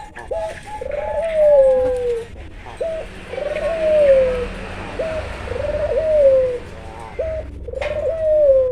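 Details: An albino Barbary dove repeats its coo over and over, each a brief upward hook followed by a long gently descending hum, against a steady background hiss.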